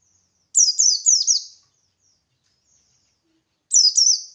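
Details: Buxtoni white-eye singing in the ngalas style to make other white-eyes respond: a fast run of four high, falling chirps, a pause of about two seconds, then another quick pair.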